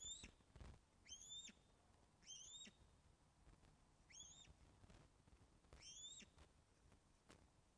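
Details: Osprey at a nest on Loch of the Lowes, recorded by webcam on 24 August 2012 at 14:10 during a fish delivery: clear whistled chirps, each a rising then falling slur, repeated roughly once a second over a soft low rumble.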